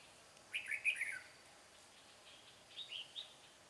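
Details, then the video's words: {'caption': 'Decoy red-whiskered bulbul sings to draw a wild bird toward a trap, giving a chirpy, tumbling phrase of several slurred whistles, a pause, then a second shorter and softer burst of notes.'} "Bẫy chào mào Bổi giọng chuông"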